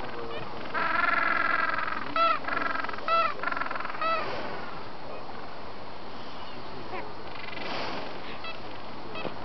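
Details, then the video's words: Gentoo penguins mating in Antarctica on November 13, 2014; loud harmonic braying bursts in a rapid pulsed series around the first four seconds, then quieter distant calls and background colony noise. "mating Gentoo penguins - Antarctica"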